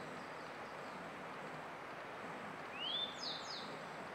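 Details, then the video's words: Grey bunting song recorded in May 2022: after a long quiet stretch of faint background hiss, a single rising whistled note followed by a short high buzzy flourish near the end. "クロジ（Grey Bunting）の囀り"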